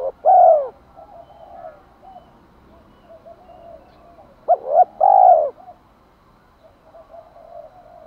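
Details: Two loud spotted dove coo phrases, each a pair of brief hoots and a long mellow note, separated by soft low cooing. Recording of hen and cock birds meant to excite wild males into cooing.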